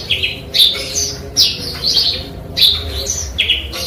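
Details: Eurasian tree sparrow singing, with song material learned from canary and cigun song: high, thin, slurred whistles and buzzy sweeping notes, delivered in bursts about every second.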